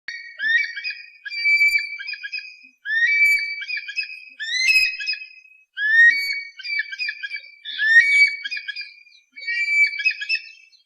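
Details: Eagle calls played to scare away pests: loud, clear, high whistled screams, each sliding upward then leveling, grouped in phrases of several notes repeated about every 1.5 seconds with brief gaps, on a silent background.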